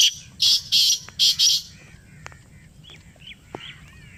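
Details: Black francolin responding to a played call in Pakistan, giving a scratchy phrase of four loud rasping notes in the first second and a half, followed by faint distant chirps from other small birds against steady low hum.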